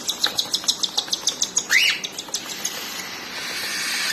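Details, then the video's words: Cockatiel chicks being fed by their mother: a rapid run of short, high, ticking chirps, roughly three per second, then a single rising whistled note, after which the chirping fades into a steady hiss. "Cockatiel Parrots Mother Feeding to Cute & Lovely Baby's"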